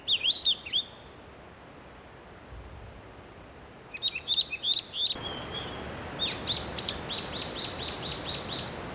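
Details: Young Japanese pygmy woodpeckers in a nest hole in Shimokitayama village, Nara, Japan, during mid-May breeding, parents feeding them every 15–30 minutes. Repeated shrill, rapid chirp bursts in several groups, louder and denser toward the end, with a hissing backdrop.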